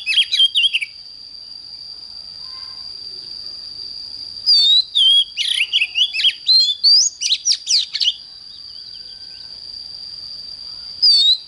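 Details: Morning singing of an oriental magpie-robin, used for fiery-song training: a short opening burst, a long pause, then a dense stretch of varied whistles and sharp rising sweeps, and one last note near the end. A steady high tone persists throughout.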